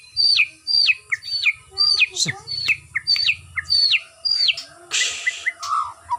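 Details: White-rumped shama undergoing routine exercise to build stamina. It repeats a high note that drops sharply, about twice a second, over a low hum. A brief burst of noise and a few lower whistled notes follow.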